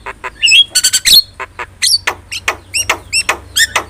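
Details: Javan myna song meant to tutor cage birds: scattered sharp clicks and harsh notes, then a series of short hooked whistles repeated roughly every third of a second, with a faint low hum behind.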